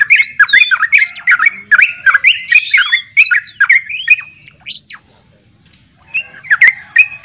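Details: Lively sooty-headed bulbul song of rapid, looping whistled phrases with rising and falling slurs, an arched higher whistle near the middle, a brief silent gap, then the chattering notes resume.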